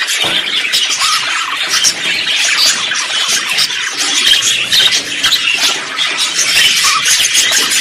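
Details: Mixed budgerigar singing, including contact calls and courtship song: busy, chirpy high warbling that swells and dips in loudness, squeaks layered over one another.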